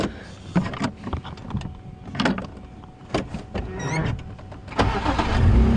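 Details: Vehicle engine rumble and car noises with scattered knocks and clicks, no animal calls.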